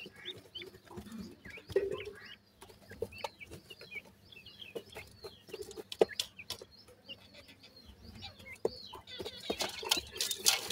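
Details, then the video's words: Sindhi teetar (francolin) chicks calling: many short, thin, upward-sweeping peeps overlap throughout, mixed with frequent sharp clicks and taps and a louder rustling burst near the end. "top sindhi teetar bird k chicks,top pheasant chicks voice"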